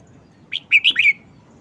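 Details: Caged red-whiskered bulbul singing its short-style song phrase, four bright, slurred whistles packed into about half a second, loud and clean against quiet background noise.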